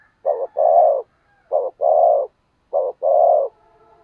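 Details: Decoy spotted dove in 'thúc gù' mode, urging wild birds to coo along: three evenly spaced couplets, each a short clipped note followed by a sustained, steady low coo, repeated about every 1.2 seconds.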